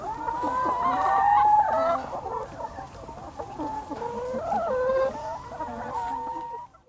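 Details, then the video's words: Free-ranging young chickens on a Lower Rhine poultry farm in Germany. Drawn-out, wavering calls and clucks overlap from several birds, swelling and fading before they drop away at the end. "Glückliche Hühner auf Hühnerfarm - Young Chicken"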